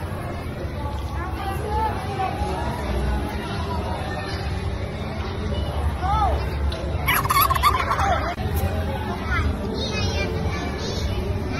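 Turkeys gobbling in quick, rattling bursts, one louder outburst near the middle, over a constant low rumble and faint background chatter.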